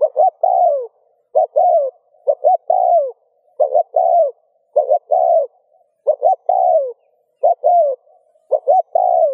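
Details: Spotted dove coo for stimulating other doves to coo. Phrases of two clipped notes and a sloping coo follow one another quickly, about eight in nine seconds, with short pauses.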